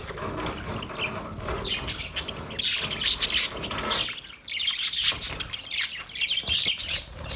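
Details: Male budgerigars chirping: dense, bright high-pitched twittering and warbling chatter with short squawky notes, continuous over several seconds, a brief quieter pause midway.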